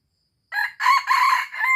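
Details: Aceh red junglefowl crow used as a lure recording: a short harsh lead note, a loud buzzy double middle phrase, and a final drawn note cut off at the end, in silence otherwise.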